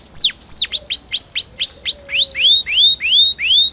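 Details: Canary song played to train young birds to sing, continuous 'cuit cuit ngerol' style: a run of bright whistled notes, first steeply falling, then turning into short rising-and-levelling slurs repeated evenly about three times a second.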